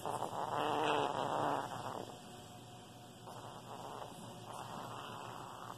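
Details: Pet Senegal parrot mimics a demolition hammer heard during a kitchen renovation: a harsh, buzzy rattle of fast pulses, about three or four a second, in bursts with short pauses.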